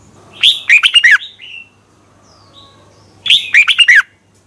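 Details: Red-whiskered bulbul morning song, a competition-style lure song played to train and stimulate other bulbuls; two short bright phrases about three seconds apart, each a rising whistle then quick warbled notes, with a faint low hum.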